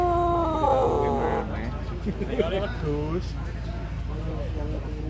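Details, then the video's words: Pelung chicken crowing at a contest, star class (Perang Bintang), Balung Jamur Cup 1 in Ngawi: a loud, drawn-out tonal crow rich in harmonics for about a second and a half, followed by overlapping crows from other roosters and crowd chatter. "Kontes Ayam Pelung Balung Jamur Kelas Perang Bintang"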